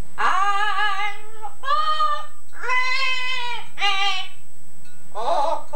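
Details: Captive Yellow-naped Amazon copying its owner's song in an English Scouse accent: five rich, rounded sung syllables with gentle waver, each about half a second long and separated by short gaps, taped indoors.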